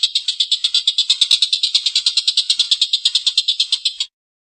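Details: Rough, extended laughing call of a Collared kingfisher in strong form. Coarse rasping notes repeat quickly, about eight a second, for four seconds, then stop abruptly.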